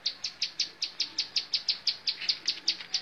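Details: Rapid, regular chipping of a bar-winged prinia in montal mantul song, high clipped notes close to five each second, loud and uniform over light background hiss.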